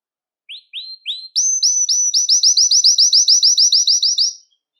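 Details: Belgian canary singing to stimulate males and bring females into breeding condition; three separate rising notes lead into a fast, loud, regular series of bright, high slurred notes lasting about three seconds.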